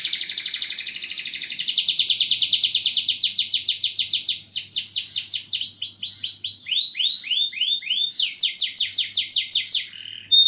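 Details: Canary delivering a long 'gacor' song in 'cengkok mewah' style: a rapid pulsed roll, then sweeping downslurred whistles repeated in series, and a final fast trill, high, loud and varied, with a faint low hum behind.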